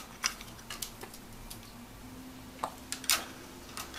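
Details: A pet grey parrot imitates bath bubbles, a sound it learned while bathing with its owner, with scattered soft pops and clicks over a low steady hum; it never learned the owner's usual "bath time" phrase.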